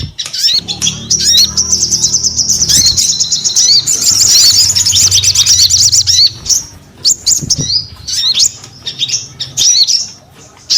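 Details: Crested Jay singing vigorously: sustained high buzzy trill for several seconds, followed by scattered sharp whistled chips and pauses.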